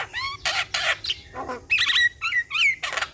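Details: Javan myna in full song to prompt a stressed bird: a rising whistle, rough rasping bursts, then twisting slurred whistles and a final harsh squawk.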